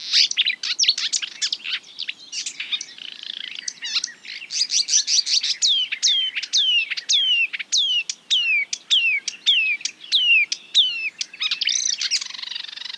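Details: Marsh warbler imitating other birds: a fast, varied high-pitched song of scratchy notes, then a long run of repeated sliding, downward-swooping whistled notes about twice a second, ending in a buzzy burst.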